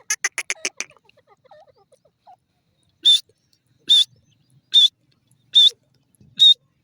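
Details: Grey francolin calling: a loud, shrill, high note with a slight wavering twist, repeated at a steady pace of roughly one per second; a quick burst of rapid clicks opens the sequence, otherwise near silence between notes.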